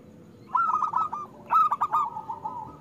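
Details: Local zebra dove singing loudly, used as a lure to get reluctant doves to sing: two bursts of rapid staccato cooing notes trailing into a rolling, purring coo, over a faint steady hum.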